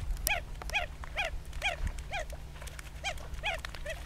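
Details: Red-gartered coots in a pitched battle on Laguna Nímez, El Calafate, Patagonia, Argentina; short nasal, arched calls with rich overtones repeat about twice a second, around nine in a row, over a steady low wind rumble.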